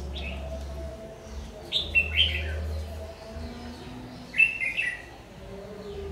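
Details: Red-whiskered bulbul, 'má lỡ' type with a very harsh voice, used in trapping with a decoy bird, 22 August 2019. Two clusters of quick chirpy warbled notes sound about two seconds apart, with low droning hum beneath.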